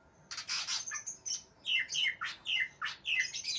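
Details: Aggressive greater green leafbird searching for an opponent: harsh rasping bursts, then a rapid sequence of slurred downward whistles alternating with buzzy notes, roughly three per second, dense and continuous.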